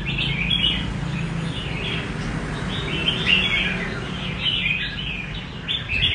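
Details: Red-whiskered bulbul singing in the rê cầu style: quick warbled, slurred chirpy phrases, mid to high pitched, tumbling one after another almost continuously, over a steady low rumbling background hum.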